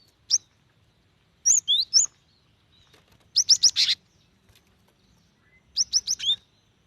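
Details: A female cinereous tit calls to a male: a single sharp note, then swooping whistles, a rapid buzzy run of four or five high chirps, and a final set of quick chirps, against a quiet background.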